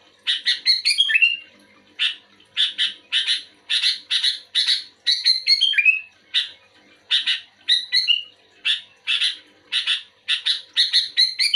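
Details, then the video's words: Energetic kutilang, or sooty-headed bulbul, answering another bulbul. Rapid series of harsh, broadband chirps, mostly in pairs and triplets, broken by brief warbled whistled flourishes that slide downward. The rhythm runs steadily for nearly twelve seconds. "Suara burung kutilang gacor aktif merespon kutilang"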